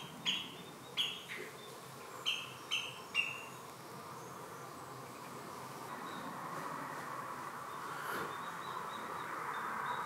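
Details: An adult common redshank with four chicks at Marshside RSPB Reserve, Southport, Lancashire, in mid-July 2018 gives about six sharp, high, down-slurred piping notes in the first three seconds, then falls silent against a steady hiss.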